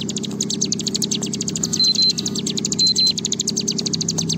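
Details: A Bar-winged Prinia pours out a long, high, rapid trill of sharp notes, over a dozen a second, above a steady low hum; the recording is meant to stimulate other prinias into long trilling.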